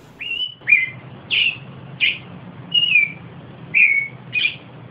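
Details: Austral thrush song of seven distinct whistled phrases, mostly clear and slightly descending, a few buzzier, repeated at under one-second intervals with a quiet low hum behind.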